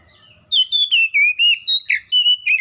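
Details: Oriental magpie-robin (kacer) singing loudly: a string of clear whistled notes, some falling and some rising, delivered in quick succession.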